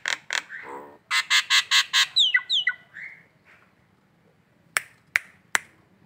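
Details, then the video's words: Collared kingfisher calling in the morning in Indonesia: a run of harsh, rapid, buzzy kek notes, about seven in quick succession, followed by a few sharp clicks and a short, quieter rasp. "si jabrik ngekek pagi,pagi"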